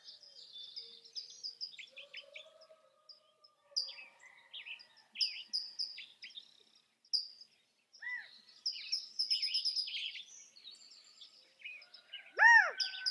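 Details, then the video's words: California quail calling with two arched, ringing notes, one brief and one loud near the close, among busy high-pitched chirps and twitters from other small birds. "California Quail | کیلیفورنیا بٹیر | Qauil Sounds"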